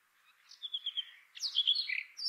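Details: Brief Brown rock chat phrase: a thin, steady high whistle, then a quick run of bright, slurred warbled notes that sweep up and down.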